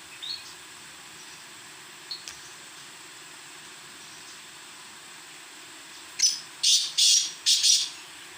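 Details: Black francolin calling: after a quiet stretch with a few faint high ticks, four loud, harsh, broadband bursts come in quick rhythmic succession near the end, roughly half a second apart.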